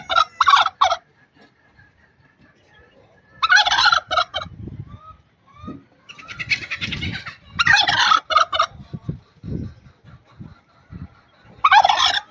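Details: Aggressive pet turkey hen from Buner, Khyber Pakhtunkhwa, calling in loud rattling gobble bursts of about a second, separated by pauses with soft low clucking and shuffling between them.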